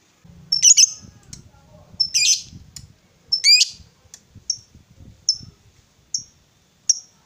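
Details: Female fighter lovebird used to goad rival lovebirds. Three strong, harsh squawks are followed by short, sharp, high chips. A faint low rumble of handling noise runs underneath.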